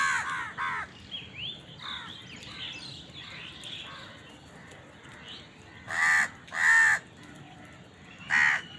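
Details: Crows at a feeding spot, fighting for food, with softer overlapping chatter and caws in the background, then three loud, drawn-out hoarse caws standing out clearly.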